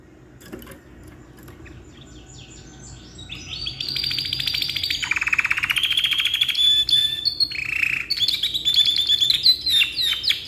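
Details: Canary in full, lively song with a long, varied delivery, kept as a tutor for other birds. Quiet start, then dense rapid trills, rolls and whistled phrases high in pitch that build in loudness over the last seven seconds.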